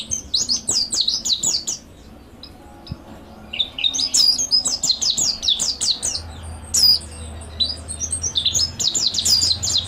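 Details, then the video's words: Mountain white-eye master song: bursts of rapid, high, jumbled twittering separated by quieter spells, with a low steady hum in the background. "MASTERAN PLECI MONTY GACOR NEKBAK ISIAN MANTAP | MANTERAN PLECI MONTANUS ISTIMEWA"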